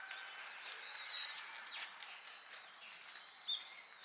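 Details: Brown-eared Bulbuls, many present, visit full-bloom Harumeki cherry trees in Minami-Ashigara City, Kanagawa, for the sweet nectar. A loud, strident whistle swells then sweeps downward, followed by softer distant calls and a sudden sharp note near the end.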